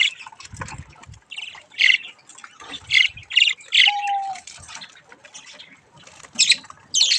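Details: Playful budgerigar chicks at a mirror let out loud squawks in repeated bursts about every second, a short level whistle near four seconds, and low thumps early on.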